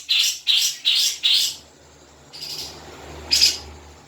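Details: Grey-cheeked bulbul, used as a lure to make a caged bird sing: four loud, harsh chattering notes in quick succession, followed by two fainter scratchy calls over soft background noise.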